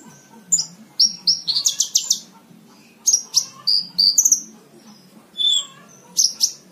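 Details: Tutor song of a Horsfield's bush lark for schooling caged songbirds: clusters of high chirps and quick slurred notes, a dense buzzy burst near the start, then spaced whistled phrases and a falling note.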